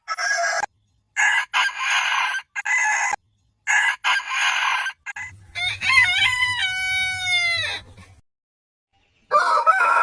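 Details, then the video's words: Rooster crowing: several hoarse, buzzy crow bursts separated by abrupt cuts, then a clearer drawn-out crow with a bright ringing tone that tapers and falls away, another crow starting at the end. "Suara Ayam Berkokok Panjang Ayam Jantan Berkokok Rooster Crowing"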